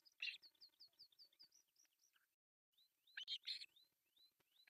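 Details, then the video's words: Breakfast feeding of three osprey chicks at an artificial nest in Pohjois Satakunta, Finland, 1 July 2024, seen on nest camera: steady series of thin, rising whistled notes, about five per second, broken by loud raspy chirps. "Breakfast feeding to three osprey babies"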